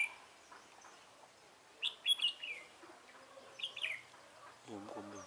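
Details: Red-whiskered bulbul at a decoy-bird trapping site, 24 March 2018. Two short whistled, warbling phrases stand apart from each other, and a low, harsh sound enters at the very end.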